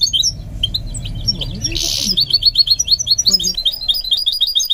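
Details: Goldfinch mule in song training, giving bright, high chirping notes, a short buzzy rasp, then a fast run of clipped twittering syllables repeated several times a second to the end.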